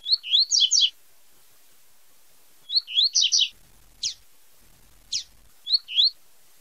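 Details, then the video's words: Tui tui zel zel song of a double-collared seedeater: repeated bursts of rapid, rising high chirps, interrupted by two isolated sharp descending notes before a final phrase. "CANTO DO COLEIRO TUI TUI ZEL ZEL FIBRA"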